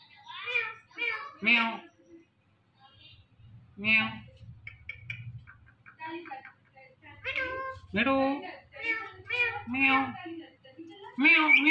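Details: Indian ringneck parakeet talking in short nasal, meow-like phrases. They come in clusters with pauses between, over a low indoor hum.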